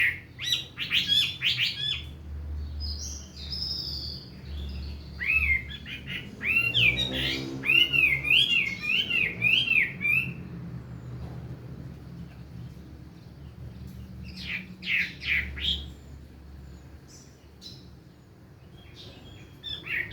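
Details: Chinese hwamei (Garrulax canorus), song.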